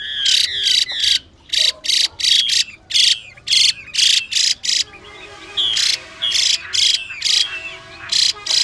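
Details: A female hwamei utters 'xùy' calls meant to stimulate males to sing: rapid rasping hiss-like bursts in quick runs, pausing briefly, with a male's sweet whistled phrases slipping through the gaps.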